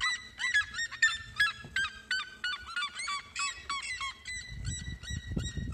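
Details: Red-legged seriema singing: a loud run of rapid, strongly harmonic yelping notes with rising and falling inflections, about 160 per minute, some overlapping as if more than one bird, with low rumbling background noise near the end.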